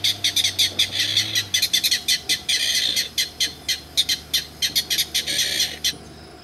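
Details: Clapper rail (saracura matraca) at Peruíbe on 13 July, responding at once to a guide's call: harsh, clattering kek notes repeated several times a second in irregular bursts for about six seconds, fading at the end.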